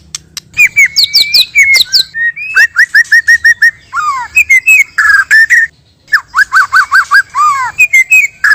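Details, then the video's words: Male and female white-rumped shama in natural song used to lure and provoke an answer: loud, varied whistled phrases with clear slurred notes, rapid repeated chips and rich warbles. "Pikat Dan Pancingan Murai Asli Suara Alam"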